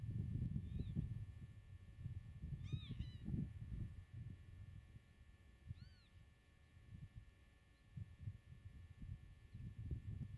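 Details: Common redshank at its meadow nest, recorded from 8 m while nests were being marked for the farmer: a few loud arched, slightly descending calls spaced seconds apart amid rumbling wind.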